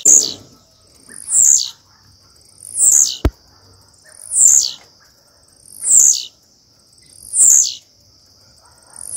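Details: Blue-black grassquit female calling to solicit mating: six sharp, high, rising-then-falling whistled notes spaced about one and a half seconds apart, a single click after the second note, and a constant thin high tone underneath.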